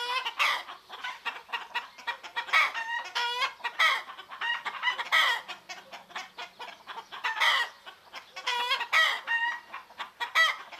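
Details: Chickens in Greek nature, roosters and hens together in the morning, with harmonic clucks and short crowing phrases in dense overlapping bursts, other birds chirping faintly.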